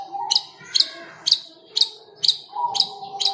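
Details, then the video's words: Cendet, the long-tailed shrike, caged and aggressive when teased, giving sharp harsh notes about twice a second in a steady series, over a faint sustained tone and low room noise. "Cendet Galak tapi Gacor | talk to cendet birds for good singing"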